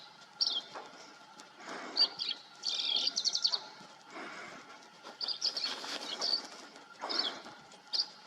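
A Green-tailed Towhee gives scattered high, sharp chirps and one quick rattling burst, over rustling noise and a faint steady hum.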